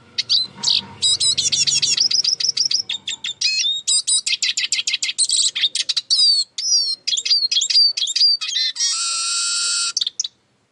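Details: Eurasian siskin song: quick high chirps and ringing trilled phrases, then bright whistled notes and a drawn-out buzzy wheeze near the end.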